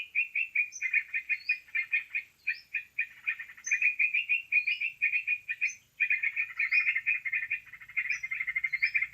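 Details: Lure recording of sooty-headed bulbul for bird trapping: steady, rapid chirping chatter of bright clipped notes, overlaid by sweet rising slurred whistles every second or so, with a brief break near the middle.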